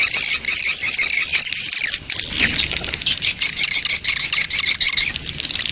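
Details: Swiftlet breeding-colony lure ('koloni birahi') for attracting swiftlets; steady high chattering overlaid by a quick run of bright, evenly spaced chirps in the latter half.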